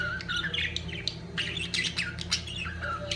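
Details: Several budgerigars at the peak of mating chatter busily: rapid warbling twitters, bent whistled notes and scratchy squawks crowd together over a constant low hum.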